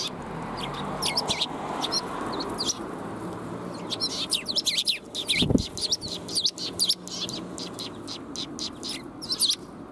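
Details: Sparrows visiting to be fed, 20 March 2021: almost continuous overlapping high chirps from many birds, one dull thump midway, and broad background noise throughout.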